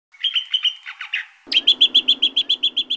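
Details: Greater green leafbird song used as a lure and master song for training birds: a run of slurred whistled notes, then a fast, evenly repeated series of bright chirps near four per second.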